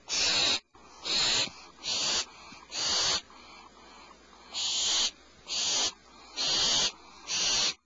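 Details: Owlets in a nest cavity before dawn, 04:47 PST, as the mother brings good fresh prey; rasping hissed screeches come in bursts, pausing briefly midway before a further run of four loud calls.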